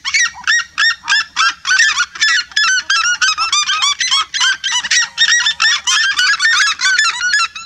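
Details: Red-legged seriemas, a flock singing together in a vibrant chorus: loud, harmonic yelping notes with upward inflections, repeated rapidly about three per second and overlapping throughout.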